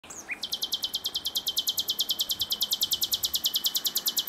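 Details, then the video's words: Common nightingale singing: after a brief high note, a long, fast, even run of loud, sharp, high notes repeated about three times a second, continuing to the end with steady intensity. "Gesang der Nachtigall"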